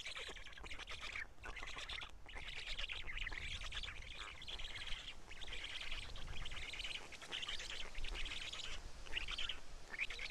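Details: Black stork nest at Karula, 31 May 2017, 12:47, with chicks eating fish brought by a parent; continuous buzzy, grating calls run throughout over a steady low rumble of background noise.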